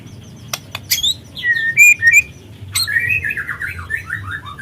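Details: A juvenile White-rumped shama with spotted plumage sings as a lure to provoke shamas into singing: a few sharp clicks, then bright whistled notes and a falling run of warbling phrases, over a soft low hum.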